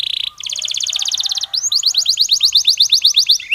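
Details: Belgian canary singing naturally for training other canaries: a dense buzzy trill of rapid high notes shifting into a series of quick downslurred whistles, loud and continuous.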